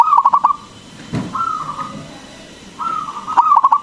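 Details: Local Indonesian zebra dove singing vigorously with a big voice, used as a lure to make other doves sing: a rapid stuttering phrase of about five low coos, then drawn-out mellow coo notes, and another stuttering run.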